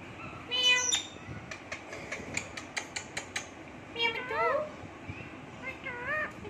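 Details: Pet Indian ringneck parrot sitting on its owner's hand, talking in a speech-like voice, with harsh rising and falling phrases broken by a quick series of sharp clicks.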